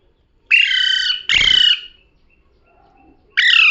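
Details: Parrot said to be talking: two long, flat, grating squawks with a thud under the second, a pause, then another squawk starting.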